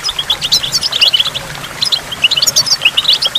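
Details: Goldfinch by a waterfall with water drops: a brief burst of bright, liquid twittering, with quick rising and falling high notes tumbling together over a faint low rumble.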